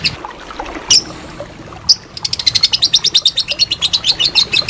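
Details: Lovebird in ngekek song, kept as master material for contest birds: two isolated sharp chips, then a quick unbroken rattle of high, harsh notes for the final two and a half seconds.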